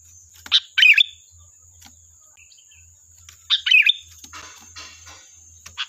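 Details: Sooty-headed bulbul singing as a lure to get other birds to answer: two clusters of quick, slurred chirpy notes about three seconds apart, softer scattered chirps between, and a thin steady high whine throughout.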